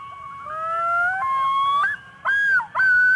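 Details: Common loon (Gavia immer) two-note call: a fast introductory note, then long, mournful, wavering notes that slur upward and break into a second phrase, over a faint low hum.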